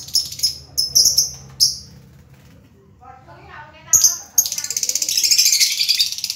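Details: Lovebird giving several sharp high chirps, then a quieter stretch with lower murmuring sounds, before a dense run of buzzy, rapidly pulsed twittering takes over.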